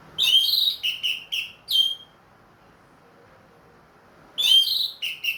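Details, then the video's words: Captive ring-banded orange-headed thrush, back to regular singing after finishing its moult, in loud open 'plong' style: bright whistled notes with buzzy overtones, four short phrases, a pause, then three more. "MERANGSANG ANIS MERAH BUNYI PLONG"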